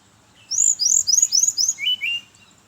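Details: A brown-chested jungle flycatcher sings in the morning as a lure for its own kind: a series of four high, down-slurred whistles, then two lower short notes to close.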